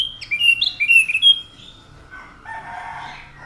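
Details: Orange-headed thrush (anis macan) delivers a quick run of descending and rising whistled notes, followed by a softer, lower warbled phrase.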